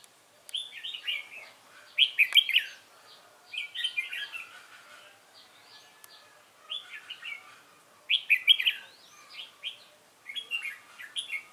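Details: Caged red-whiskered bulbul in competition song, repeated bursts of rich warbled whistles every few seconds, loud and clear against a quiet background.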